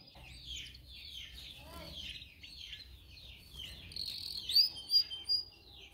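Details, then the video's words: Canary song used for singing training: a dense, quieter jumble of varied high chirps and slurred notes, then louder sharp whistles near the end, over a low background hum. "Video for Canary training 25 m. Canary training 0.25 Hour canario canary song"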